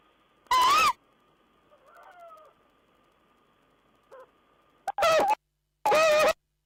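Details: Owl bringing a mouse to the nest, 14 April 2010: a loud rasping cry, then soft sliding notes, a brief squeak and two more harsh overtone-laden calls close together near the end, over a constant background hum.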